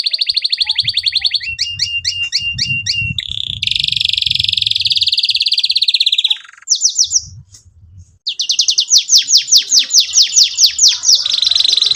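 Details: Singing canary used as a lure for young birds learning song: fast trills of repeated sweeping notes, a long buzzing rolled phrase, then rapid high chirps resuming after a short pause.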